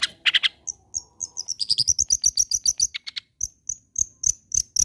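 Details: Long-tailed shrike song played to provoke other shrikes into continued singing: a harsh opening burst, then a long series of rapid high, thin piping notes repeated several times a second, some with scratchy chatter, ending in evenly spaced sharp whistles.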